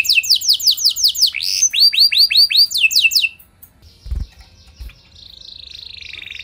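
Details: Canary song used to draw responses from other canaries: rapid falling notes and a few slower arching whistles, then near quiet with soft knocks and a faint thin high trill.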